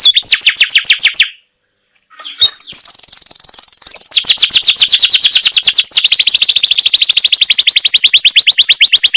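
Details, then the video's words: Masteran canary song with a long roll: a high rapid trill, a second of silence, a buzzy rasping note, then an unbroken, very fast rolling trill lasting over five seconds. "suara kenari masteran"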